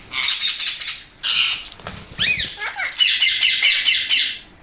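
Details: Indian parrot kept indoors giving loud, raspy squawks and a few short descending whistles, with a noisy burst of harsh calling toward the end.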